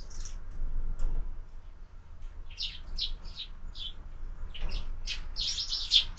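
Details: Morning sparrows visiting a feeder fixed to a window where birds are fed all year; scattered sharp high chirps in loose bursts, brief gaps between them, growing busier toward the end, faint low hum beneath.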